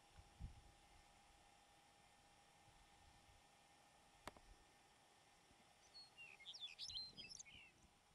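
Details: Singing Lapland Longspur (Lapland Bunting) on a rock in the Filefjellet mountain highlands, Norway, first week of July, gives a brief high jingling warble of quick tumbling notes near the end, over faint wind and hiss.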